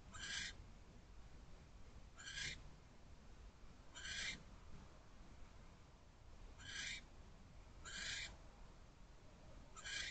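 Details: Barn owl on a nest-box perch at 10:48 pm on January 15, 2024. It gives six rough, breathy screeches, each about half a second long, roughly every two seconds, with steady low background noise.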